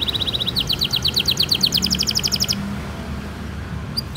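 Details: Canary song used as a lure for young or non-singing canaries: a fast, even, chattering trill lasting about two and a half seconds, then a pause with only background hiss and a couple of faint chirps.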